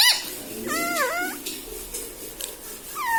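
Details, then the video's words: Pet ringneck parrot in a room, a single quieter, drawn-out wavering syllable near one second with a short squeak at the end, over steady background hiss. "talking parrot mummy papa"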